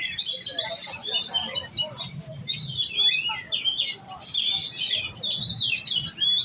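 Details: Oriental magpie-robin, a young kacer giras in contest training, pours out a busy, high-pitched medley of sharp whistles, chips and scratchy trills in loud bursts with brief pauses, over faint low background noise.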